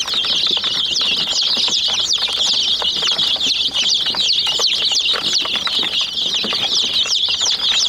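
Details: Hen chicks peck at a white toy jeep, producing a constant dense chorus of thin, high chirps, many short and downward-slurred, with intermittent clicks and taps of pecking.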